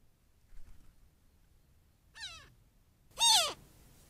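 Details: A young Cooper's hawk at a desert critter pond in mid-morning gives piercing screeches. Two strained, falling cries sound a second apart, the second much louder, in an otherwise quiet setting.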